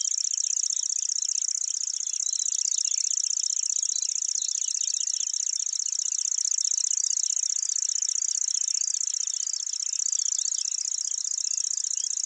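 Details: A Lanceolated Warbler at Wakka Primeval Flower Garden, Hokkaido, sings somewhat longer than usual, reeling out a high, dry, insect-like trill that runs unbroken throughout, with faint chirps of other birds behind it.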